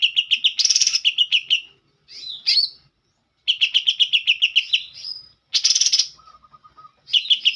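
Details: Green leafbird performing an isian kapas tembak song: quick bursts of sharp chirps broken by harsh rasping bursts, slurred whistles and a short low trill, with brief pauses between phrases.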